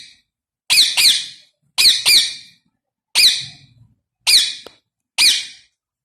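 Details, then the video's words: Rose-ringed parakeet natural call: loud, harsh, high squawks in quick pairs or singles, about one burst per second, with a slight rising-falling inflection. "Ringneck Parrot Natural voice"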